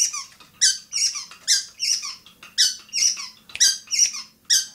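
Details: Long-tailed shrike at Bobotsari gives harsh, squeaky high notes in bursts repeated roughly twice per second. Each burst has a short low tail.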